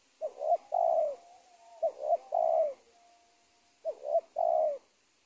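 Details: Spotted dove caught in a former cornfield beside a teak plantation. It repeats three deep cooing phrases, each a brief doubled note followed by a long, slightly falling coo. A faint steady whistle sounds in the background between phrases.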